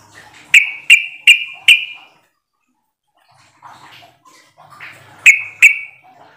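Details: Sooty-headed bulbul lure call, used to make other bulbuls reply. Four loud, sharp chuck notes follow one another about every third of a second, then a pause with faint rustling, then two more.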